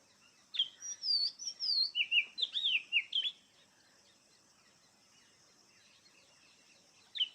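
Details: Kacer, the oriental magpie-robin, gives one lively burst of whistled song, looping and rising-falling notes in quick succession for about three seconds, then near silence before a single sharp note near the end.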